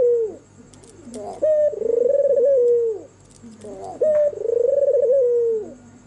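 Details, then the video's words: White red-eyed albino turtle dove, a bird said to bring good fortune and used to lure other doves, cooing at night with smooth mellow phrases: a brief upward note then a long vibrating, slowly falling coo, two phrases about 2.7 seconds apart. "SUARA MERDU BURUNG PUTER PUTIH MATA MERAH MANGGUNG DIMALAM HARI"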